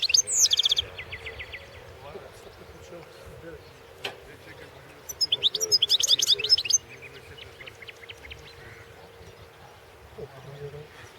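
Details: European goldfinch in a 2016 world championship singing competition: a sharp twittering burst at the start, long near-silent stretches with a faint hum, then a dense run of high, rapid chattering notes midway, followed by scattered soft chips.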